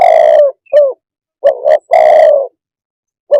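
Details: Close, loud coos of a spotted dove: a long hoarse coo ends one phrase, then a short falling note. A new phrase of two short coos and a long rough coo follows, and a final short coo begins another.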